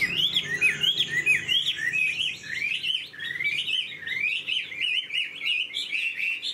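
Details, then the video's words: Tame caged Chinese hwamei singing in a hand-carried cage: a rich, fast warbled song of looping whistled phrases sliding up and down, delivered almost without pause, with faint low background noise early on. "Chim thuần sách lồng hót"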